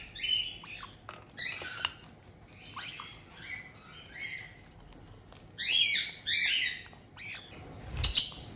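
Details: Pet white-bellied caiques in Tokachi, Hokkaido, June 2023, with a resident adult pair welcoming a new chick of just over two months. Bright, clipped chirps and short whistled notes come in quick bursts, with a sharp tap near the end.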